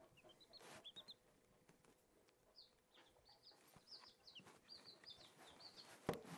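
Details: Newly hatched Silkie chicks, four of them, tame and curious, playing; scattered high thin peeps with pauses between, over low background noise and a sharp knock near the end.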